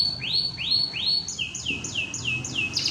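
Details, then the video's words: Canary in competition training singing three rising whistled swoops, then a quick run of five falling slurred notes, ending in a brief buzzy flourish. "Gacoran durasi 1 menit"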